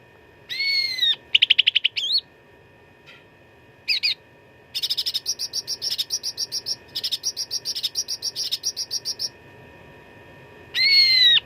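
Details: Cucak ranting fighting song with lavish fill-ins, used as a master recording for contest birds: opens and ends with downward-sliding whistles, with a long fast series of chattering buzzy notes in the middle, about four per second.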